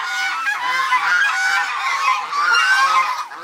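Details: Swan geese, also called Chinese geese, a flock being fed by locals in November 2021, honking loudly together: dense, overlapping, harsh nasal calls with no pause, a continuous din of many birds.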